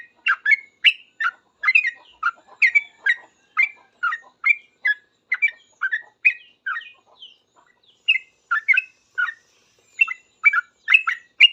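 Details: Yellow-vented bulbul singing hard in reply to other bulbuls, in rapid noisy 'ropel' style: a long stream of bubbly, slurred chirps, several each second, with a few brief breaks.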